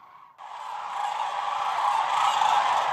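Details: Hundreds of thousands of sandhill cranes on the Platte River, recorded from a photography blind at the height of northern migration; after a brief quiet start the dense chorus of rolling, rattling calls cuts in loudly and swells.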